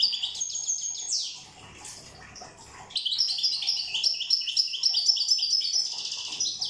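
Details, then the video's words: Goldfinch of the island of Corsica in 'rosse' song: a sweet twittering opening, a short lull, then a fast, even chain of repeated tinkling notes, roughly four per second, high and bell-like. "Chant chardonneret corse rosse"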